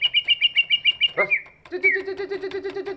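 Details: Large greater green leafbird, whose song is used to urge other birds to sing: a brisk string of high repeated notes, a sharp break, then a lower, rhythmically pulsing series of notes.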